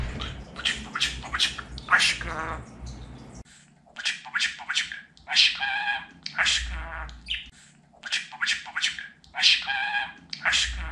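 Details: Pet budgerigar speaking in quick strings of harsh, voice-like syllables, several with rich ringing harmonics, delivered in bursts a few seconds apart.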